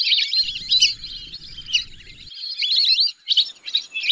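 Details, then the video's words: Whistling duck flock giving sharp, high twittering whistles in rapid overlapping strings, briefly thinning near the end, over a low murmur in the first half. "whistling dack call/sound /বালি হাসের ডাক/শরালী পাখির ডাক"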